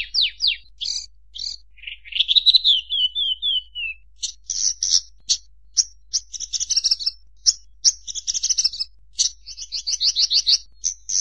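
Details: Long bushlark song opening with falling slurs and a descending series of short notes, followed by dense high chirps, buzzy bursts and a fast trilled run near the end.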